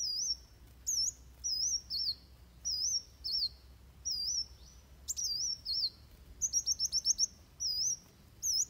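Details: Van Hasselt's sunbird delivering fighting song for training birds: evenly spaced high wavering whistled phrases about every half second, with a brief rapid trill of six sharp notes near the end.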